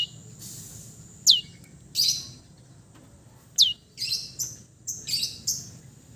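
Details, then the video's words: East Java long-tailed shrike in relaxed song, here sparse: thin high whistles that slide steeply downward, spaced a second or more apart, with short scratchy notes at the end over a faint hum. "KICAU SANTAI CENDET JATIM GACOR FULL ISIAN"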